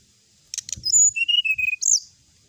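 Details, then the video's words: Brown-chested jungle flycatcher singing to provoke rival birds: a couple of buzzy notes, a high whistle, then lower level whistles and a sharp rising flourish, with soft low thumps underneath. "suara pancingan srdc agar lawan cepat emosi gacor,auto langsung cepat respon.."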